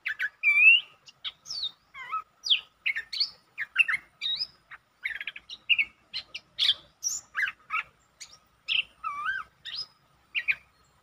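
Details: Streak-eared bulbul, 13 February 2023, delivering a long song: a continuous run of varied whistled, slurred and chirping notes, some rising and some falling, about two each second for eleven seconds.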